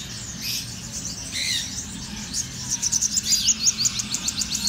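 Black-throated sunbird giving thin, very high chips and short buzzy notes, then a quick twittering run of about three notes a second over a faint low hum.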